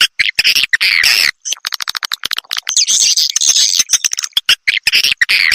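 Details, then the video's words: Edible-nest swiftlet attraction call for swiftlet houses; a long raspy twittering phrase, then rapid clicking notes and a thin high squeal, followed by more staccato buzzy chirps. "SUARA BURUNG WALET"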